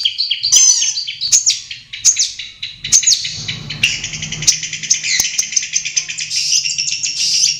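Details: Long-tailed shrike in its natural habitat: high, jumbled twittering and whistled notes that merge into a continuous, shimmering warble, over a faint low hum.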